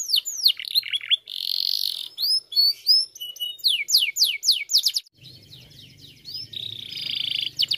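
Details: Canary song meant to stimulate other canaries to sing: rapid high upslurred whistles, a buzzy rolling trill, then strings of quick sweeping notes. A faint low hum is under the later part.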